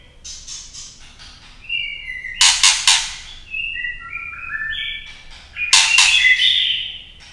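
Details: Female white-rumped shama singing to stir males into song: harsh, scratchy chattering bursts alternating with a run of pure, stepped whistles at different pitches.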